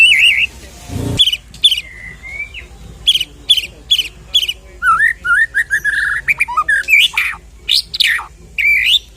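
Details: White-rumped shama singing, a recording meant to provoke another shama to sing; a brief low thump early on, then clear rich whistles, slurred notes and quick chattering trills in varied, rapid phrases.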